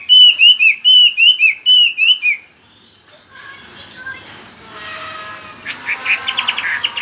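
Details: Chinese hwamei singing: a series of loud, rich whistled phrases repeated quickly for about two seconds, followed by softer mixed sounds and a faint chatter of other notes.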